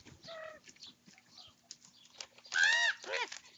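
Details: Young common ravens squabbling over their breakfast. Soft, low harmonic notes at first, then a loud, hoarse, arched squawk followed by a shorter, harsh call.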